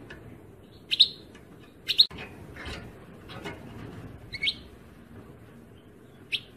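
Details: European goldfinch giving sharp, high, tinkling chirps about once a second at first, then at wider gaps, over a soft low background hum.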